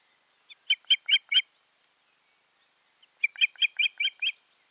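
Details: Osprey pair at the nest, 14 June 2019, with two bursts of high, squeaky whistled chirps, four notes then six, separated by a quiet gap.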